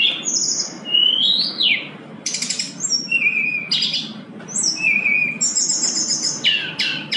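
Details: Sooty-headed bulbul in lively full song, meant to lure and train a bulbul reluctant to sing, crammed with fill-in phrases: quick high whistles, slurred rising notes and bursts of buzzy chirps in close succession over a faint steady hiss.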